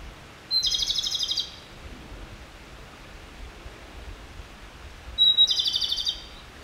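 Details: Japanese robin (Erithacus akahige) subsong gives two high phrases about four seconds apart, each a clear whistled note running into a fast, rattling trill, over a soft background hiss.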